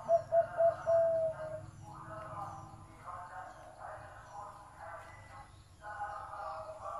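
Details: Zebra dove noted for a big, deep voice gives three short stuttered notes and then a sustained coo, after which softer, fuzzier dove calls from other birds continue against a low hum.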